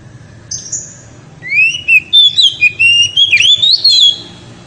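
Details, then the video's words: Loud ngeriwik singing by an oriental magpie-robin to excite the female: a high faint note, then a rising whistle leading into fast chattering warbled phrases for nearly three seconds. "SUPER NYARING!!! KACER NGERIWIK HEBAT SEKALI BIKIN BETINA NGEPLONG"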